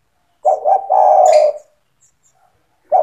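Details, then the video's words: Spotted dove in vigorous song, a phrase played to train young doves to sing along: two short stuttered coos run into one long, low, slightly falling coo, and a new phrase starts at the very end. "SUARA TEKUKUR GACOR BAGUS UNTUK MELATIH MENTAL TEKUKUR MUDA BIAR IKUT BUNYI MANGGUNG"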